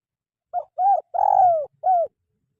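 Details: Spotted dove, recorded as training material for caged birds that seldom sing: one soft cooing phrase made of a short opening coo, an arched coo, a long sagging coo and a final arched coo, with a faint low rumble beneath.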